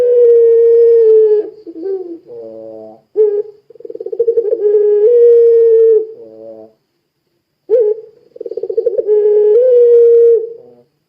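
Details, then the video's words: Puter pelung dove, kept as a lure to set other doves singing, repeats its long level coo: a held tone, short wavering notes, then a rapid pulsed roll rising into another sustained hum, with a brief pause between phrases. "Suara Burung Puter Pelung Gacor Sangat Ampuh Menjadikan Puter Lain Ikut Bunyi"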